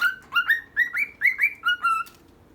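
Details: Two pet birds, female and male, giving about eight clear whistled chirps in two and a half seconds, each note swooping upward then flattening, evenly spaced and loud against a low background hum.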